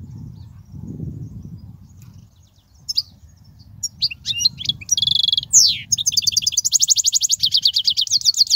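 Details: European goldfinch song used for teaching young goldfinches: after a quiet start with low background rumble, bright high twittering begins, with rapid notes, buzzy rattling trills and a long run of fast repeated chirps.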